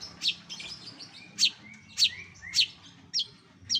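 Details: Imitations of other birds by a cendet, the long-tailed shrike, recorded as training sound for contest songbirds: short, bright, high chips about every half second over soft rasping notes and faint background murmur.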